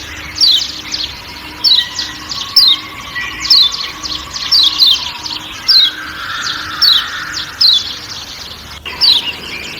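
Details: Lombok white-eye, locally kecial kuning, with forest ambience: brisk, high, downward-sliding 'ciak' chirps recurring at irregular intervals of about one second, against a continuous buzzing forest background.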